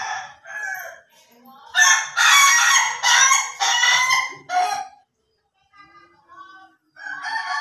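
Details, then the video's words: Ayam Ketawa rooster crowing in the laughing style: a burst of loud, harsh, stuttering syllables in rapid series, then quieter broken notes and a final rising phrase. "AYAM KETAWA SLOW VS AYAM KETAWA DURASI"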